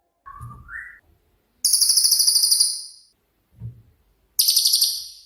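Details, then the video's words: Cililin with 'tembakan' (shooting) style song for tutoring songbirds: a short rising whistle, then two bursts of very high, fast, buzzy pulsed trills, each about a second long, separated by soft low thuds. "BURUNG CILILIN COCOK UNTUK MASTERAN"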